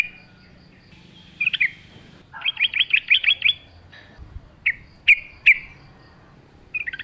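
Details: Forest-style song of a lively sooty-headed bulbul: a brief chirp, a rapid rattle of bright bubbly notes, then single sharp whistled calls spaced about half a second apart.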